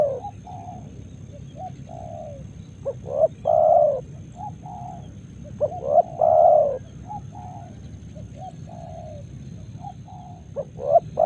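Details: Several spotted doves cooing on a morning in Karawang rice fields; a near bird gives loud throaty coo phrases twice, while distant doves keep up a continuous chorus of softer coos over low rural noise.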